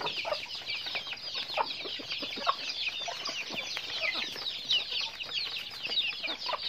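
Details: Daily activity among chickens: a busy, unbroken layer of shrill peeping from many birds, with soft lower clucks scattered through it.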